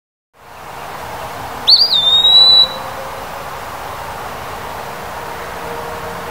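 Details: Eastern wood-pewee singing in summer: one clear, high whistled phrase that slurs upward, wavers briefly, then holds a long, steady, slightly falling note for about a second over a faint, constant low hum.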